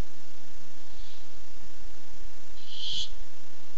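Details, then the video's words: One faint rasp, then a loud harsh screech nearly two seconds later from a Barn owl seeking food, caught by a nest camera on 7 August 2015. "Ollie comes by looking for food"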